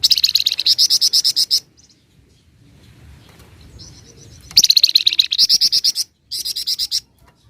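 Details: Flamboyan in lively ngebren and nyecret song: long rattling trains of rapid, evenly spaced buzzy high notes, broken by a pause with a thin whistle and then resuming in two more bursts.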